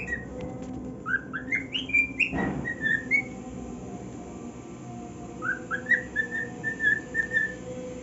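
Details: Male cockatiel singing on his new nest: a burst of rising whistled notes, a thump, a pause of about two seconds, then a second run of level whistles.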